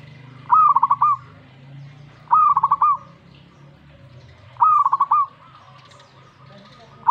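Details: Zebra dove answering a master recording it hears. It gives three full song phrases, each a rising coo breaking into a rapid rolling trill, roughly every two seconds, with a fourth just beginning at the end.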